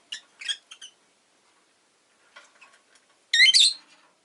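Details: Rosy-faced lovebird chirping: a quick run of sharp, harsh high chirps, a pause with faint scratchy notes, then a loud, buzzy burst near the end.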